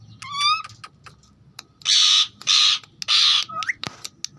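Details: Pet green ringneck (rose-ringed) parakeet, described as talking: a high, rising voiced note, then three harsh, raspy screeches about half a second apart, ending on a quick upward squeak, with light clicks between.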